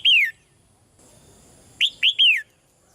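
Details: Female red-whiskered bulbul calling quietly in a cage to spur the male's louder singing; a falling whistled note at the start, then a crisp three-note phrase ending in a downward slur.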